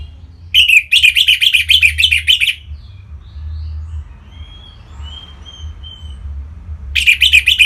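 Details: Orange-headed thrush song from Singaraja, North Bali, used to stir other birds into singing: a rapid, buzzy series of about twelve repeated notes, soft faint whistles during the pause, then the fast series begins again.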